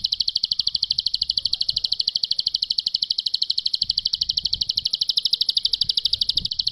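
Bar-winged prinia gives a long, unbroken trill of high, clear notes, about ten a second, steady in pitch throughout, over faint low background noise.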